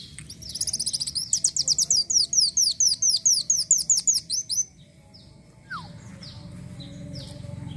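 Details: Lively Van Hasselt's sunbird song of very high, rapid, evenly repeated downslurred chips lasting several seconds, then fainter scattered notes and a falling whistle.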